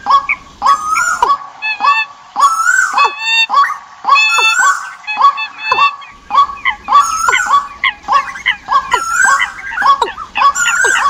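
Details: Bird chorus compiled as migration-season decoy sound in 2021: bent, harmonic calls and sharp downward strokes pour out in quick bursts, with a brief lull partway through before the crowding resumes.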